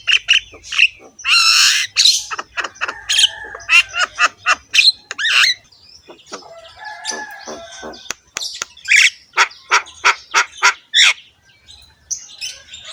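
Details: Javan myna singing harshly and continuously while head-bobbing, meant to provoke other mynas to sing: buzzy rasps early, then long rapid series of clicks, squawks and whistles about three or four per second.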